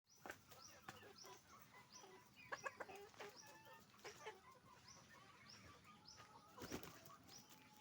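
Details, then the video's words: Roosters and hens on a chicken farm, a busy chorus of short harmonic clucks and squawks from many birds overlapping, with a few sharp clatters and knocks in the background. "Moment of the sound of a chicken farm, roosters and hens making noise"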